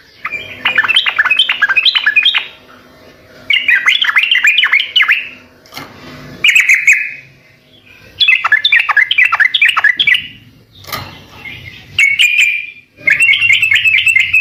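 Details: Lively yellow-vented bulbul, original recording: long rolling sequences of gurgling, bubbly notes, repeated several times with pauses and a few shorter warbled phrases between them.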